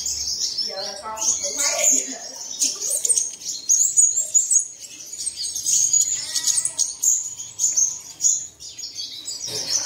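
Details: Early-morning lure for caged birds to start singing: continuous shrill twittering and sharp chirps from several birds at once, with a few lower, rougher rasping notes breaking in briefly.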